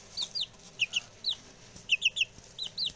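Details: Young male chicks, six of them, newly arrived and being reared for eating and taxidermy, utter high falling peeps in clusters of two and three, irregularly spaced, with faint background noise.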